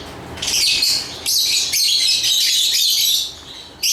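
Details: Lovebird chirping in dense, high, buzzy chatter with rapid squeaky notes running almost continuously, broken by brief pauses; faint background hiss.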